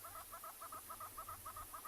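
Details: Hornbills calling at sunrise on 10 August in a clearing at Tswalu Kalahari Reserve, South Africa, after a long night on a cold, windy morning, give quick, hollow clucking notes in doubled bursts, about three pairs a second, over a faint low rumble.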